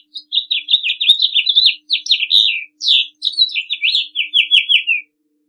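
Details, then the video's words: House Finch singing a long, jumbled warble of quick, high, slurred notes, delivered in several tight bursts separated by brief gaps, on a clean, quiet background. "I will show you the song and the main characteristics of the House Finch. Enjoy it."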